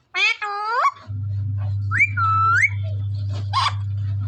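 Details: Punjab desi Indian parrot: one loud harsh upswept squawk, then a whistled phrase rising, flattening and rising again, and a short raspy burst, all over an unbroken low hum.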